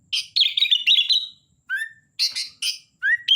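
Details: Energetic sooty-headed bulbul song of chattering bursts and rolling whistled phrases, broken by short upslurred whistles and pauses, in a clean, quiet setting.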